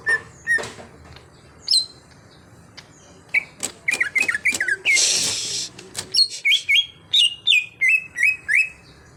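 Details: Cucak hijau, a captive bird trained to sing loudly and often, delivers scattered sharp chirps, then a run of quick downward-sliding whistled notes in varied pitches, with a brief burst of broadband noise midway.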